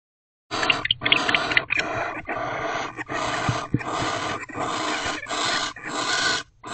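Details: Wild barn owls at a nest box at night on 1 January, around 10:59 pm, as the male returns, the pair mate, and another owl comes too close; long breathy hissing bursts follow one another with brief gaps.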